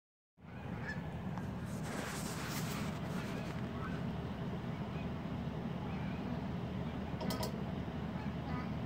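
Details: A bar-headed goose in a backyard in the greater Chicago area, among Canada geese, gives a few nasal, honking calls clustered early and again near the end, over a steady loud low rumble of wind or traffic.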